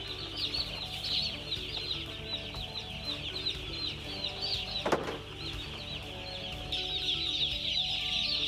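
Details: Many broiler chicks cheeping loudly and continuously, rapid high chirps crowding together, one sharp knock midway, a steady low hum throughout and the chorus growing louder toward the end.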